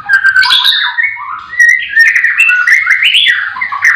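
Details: A white-rumped shama in a breeding aviary in the morning, with all the birds singing, gives a rich, unbroken run of fluty whistled phrases sliding up and down, with varied notes and brief scratchy accents.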